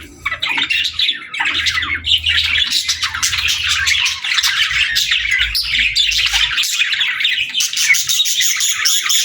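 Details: Playing, singing and talking parakeets fill the air with steady, unbroken high-pitched chirps, squawks and rapid warbled twitters, several birds calling at once.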